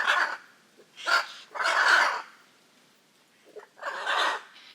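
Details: Hyacinth macaws, the world's largest parrot, from the Pantanal, Brazil, giving repeated loud, hoarse squawks in uneven bursts with short gaps, plus a softer croak between them.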